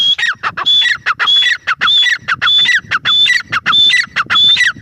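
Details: Loud, continuous calling from a female grey francolin. Harsh, rhythmic phrases repeat roughly every 0.6 seconds, each with a bright whistled top note sliding into grating lower notes.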